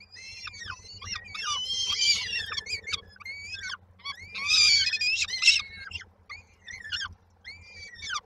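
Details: Peregrine falcon chicks, Koszalin, Poland, 19 May 2022, calling as they wait for their mother to arrive with food: loud, grating, quavering screeches in irregular rapid series, rising into intense crowded bursts.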